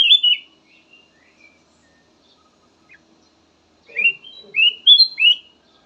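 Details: Kutilang emas singing a soothing lure variation: an opening whistled flourish, a quiet pause with soft chirps, then a fast ascending series of clear whistles.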